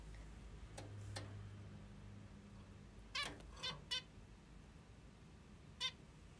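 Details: Pet female zebra finch in the morning giving a few short, nasal, harmonic calls spaced irregularly over several seconds, with a quiet room and a low hum in the background.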